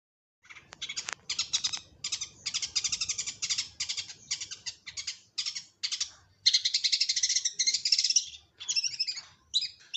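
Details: Long-tailed shrike lure song: dense bursts of harsh, scratchy chattering notes in rapid buzzy series, separated by short pauses, ending in a sustained loud shrill trill around the eighth second.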